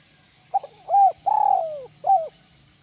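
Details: Kuk 1 coo of a spotted dove: brief opening note, a full rounded coo, an extended descending coo, and a closing short coo, over faint low background hum.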